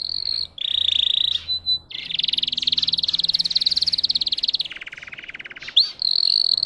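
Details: Song of a Russian canary bred for singing: long buzzy rolling trills held several seconds, shifting pitch between phrases, with a quick upslurred whistle before a final high trill.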